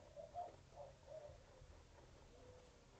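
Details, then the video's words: Mourning doves nesting in a backyard, recorded 14 March 2024 near a roadrunner nest, give soft, low, hollow coos, a few mellow notes over about a second, then a fainter drawn-out coo, over quiet hiss. "The sound at 1:35 are mourning doves."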